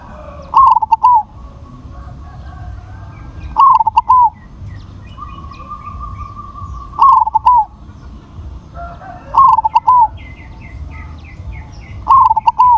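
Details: Crossbred zebra dove with a big voice sings short bubbling coo phrases, each a quick stuttered trill sliding into drawn coos, repeated roughly every three seconds; faint chirps from other birds and a steady whistle-like tone fill the gaps.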